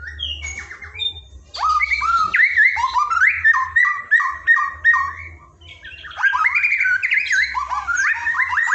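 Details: Training song of a white-rumped shama, played to teach a lazy shama to sing: rich rapid warbling with rising and falling whistles, a brief pause, then another long varied phrase over a faint low hum.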